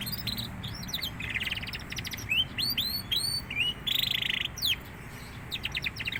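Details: Young canary just starting to sing freely, delivering a lively varied song of rapid bright trills, rising upswept whistles and a dense buzzy rattle, with short pauses between phrases over a steady low hum.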